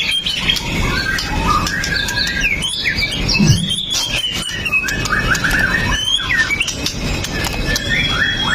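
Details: White-rumped shama, pastol type, singing a provoking song that keeps other shamas from staying quiet; recorded by Xiaomi phone. Jumbled rising and falling whistles and quick chatter over a noisy background.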